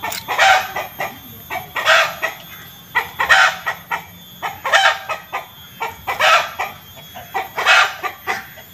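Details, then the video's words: Chicken clucking: loud, rough clucks given in uneven bursts about every one to two seconds, each a harsh broadband note, some in quick doubled runs; steady faint background noise throughout. "Suara Ayam Petok-petok"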